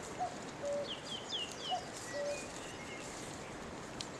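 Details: Common cuckoo in a tree, 3 May 2018, near horses. Two mellow cuckoo phrases, each a brief high note dropping to a held lower note, about a second apart. Other small birds add slurred high whistles and short notes between them.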